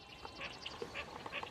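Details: A mallard perched on top of a tree at Turnbull National Wildlife Refuge on a morning gives a few soft, nasal quacks, roughly three in under two seconds, over a quiet background of outdoor hiss.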